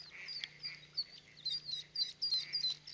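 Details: Mallard ducklings of a first brood emerging from a nesting tube, 5 May 2021, Plainfield, New Jersey, peeping: thin, very high notes, several a second, overlapping from many chicks, over a faint steady low hum.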